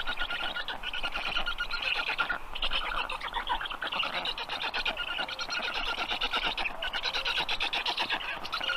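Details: An almost unbroken stream of scratchy, pulsing calls from black stork chicks, rising and falling slightly in loudness, with soft forest sounds.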